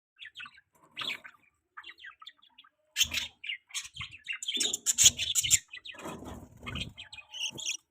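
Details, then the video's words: Pet budgerigar chick chirping: scattered high thin chirps and twittering notes, getting busier and louder with irregular chattering bursts, plus some low thumps and handling noise. "beautiful budgie baby chirping sound"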